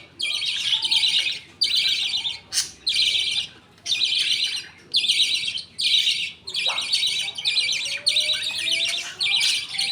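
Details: Pet budgerigars at feeding time in a colony, a father feeding food paste from millet to two chicks as the mother watches; harsh, buzzy bursts repeat roughly every second with short gaps between them.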